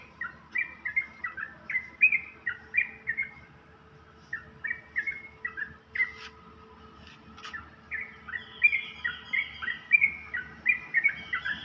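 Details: A yellow-vented bulbul (Pycnonotus goiavier) sings in the early morning: bursts of bubbly, liquid chirps, several notes per second, with brief pauses between phrases and a faint background hum.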